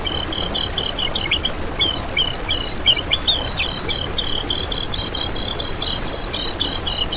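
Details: Lemon-bellied white-eye master song for luring and training other birds: long, continuous, high chattering trill of fast repeated chirps, with a brief break and some slightly varied phrases.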